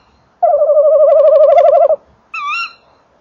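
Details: Male tawny owl arriving at and entering a nest box at 19:48 on 28 December 2013, recorded close to the box; a long, quavering hoot of about a second and a half, then a short, sharper rising note, while the female calls farther off.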